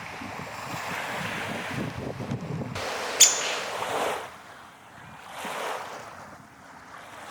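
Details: Surf washing ashore and gusting wind, with one brief click and no animal voice.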